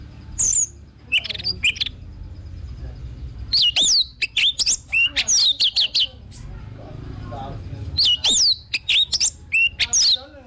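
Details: Lure recording of orange-headed thrush song: bursts of bright, sliding whistles and quick chirps come in three clusters separated by short pauses, with a faint low hum beneath.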